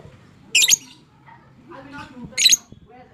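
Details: Fighter-type lovebird, kept as a cage bird, giving long chattering ngekek as therapy to stimulate lazy, silent lovebirds: two harsh, buzzy squawk bursts about two seconds apart, with faint low background murmur between.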